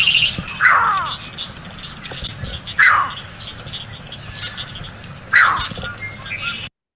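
A Green Heron gives sharp, harsh downslurred calls, one every couple of seconds, over a steady insect hum.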